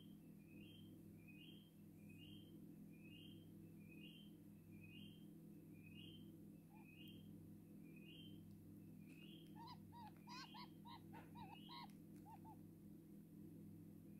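A Purple-crested turaco chick gives thin, rising squeaks about every half second, then a brief burst of rougher, harmonic chirps, over a steady low mechanical hum.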